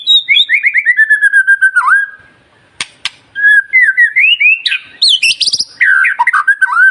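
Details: White-rumped shama (murai batu) in full song, used as a lure to trigger other shamas into singing: loud, rich whistled phrases falling and rising, rapid rolling trills and sharp clicks, with a short pause midway.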